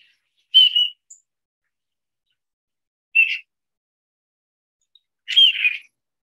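Three short, high, clear whistles from displaying male mallards, spaced a few seconds apart, the last one longer and slightly slurred. No other sounds.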